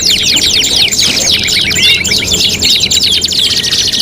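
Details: Contest tutoring canary song, five in one: packed high trills and rapid slurred zigzag notes run continuously, with overlapping singers and light background noise.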